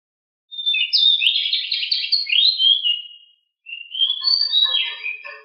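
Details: Agile, very noisy pied bushchat in rolling song. A long, busy, chattering warble is followed by a second phrase, with faint lower chirps from other birds under it.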